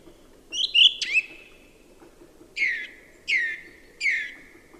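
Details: Song thrush song. A short twittering phrase ends in a sharp note, then the same descending whistled note comes three times at even intervals of about two thirds of a second, over soft background hiss.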